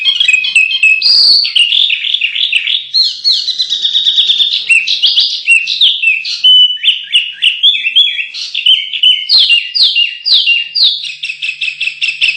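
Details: Long canary song on masteran audio meant for contest birds, a continuous medley of twittering trills, buzzy rolls and repeated sharp chirps changing every second or two.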